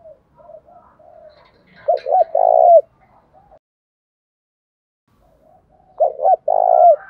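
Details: Spotted dove delivering Đồng Thổ-style coos to goad a rival bird: soft murmured notes, then a double note and a long vibrating coo; after a quiet pause the same phrase repeats, ending with a falling tail.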